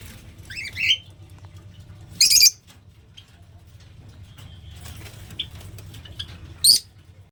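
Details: Lovebird calling: three shrill, harsh screeches spaced across several seconds, with a few faint chirps between them and a steady low hum underneath.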